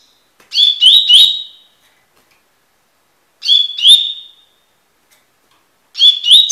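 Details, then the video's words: Coleiro tui-tui, the double-collared seedeater, repeating its song for tutoring: three brief bursts of quick rising whistles roughly every two and a half seconds, each ending on a held high note, the last cut short. "coleiro tui tui cantando (encarte)"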